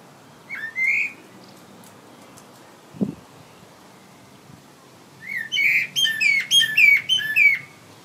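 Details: Blackbird, Turdus merula, singing from a tree: a short mellow whistled note, a pause with a faint low thump, then a rich run of fluty, warbling notes rising and falling, mixed with high squeaky twitters.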